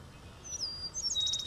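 Eastern Meadowlark song: clear, high slurred whistles that glide downward, then a brief run of sweet notes ending in a light flutter; faint background hum.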